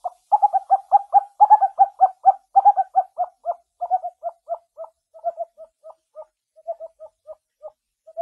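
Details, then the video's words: Wild scops owl calling at night in dense forest in Java, Indonesia: a long run of short, mid-pitched hooting notes, rapid and loud at first, then slowing and fading toward the end. No other sounds. "OWL Sounds At Night - Suara Burung Hantu Liar Di Hutan Belantara Nusantara"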